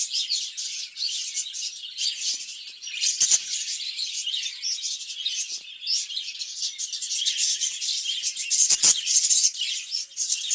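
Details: Several caged budgerigars kept for breeding keep up a constant high twittering chatter, rapid chirps layered together, with a couple of brief low thumps.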